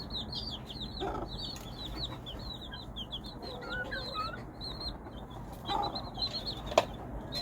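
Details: Hen calling to her chicks, with a busy chorus of high chick peeps and a few soft low clucks near the start and later, plus a sharp knock near the end over low hum.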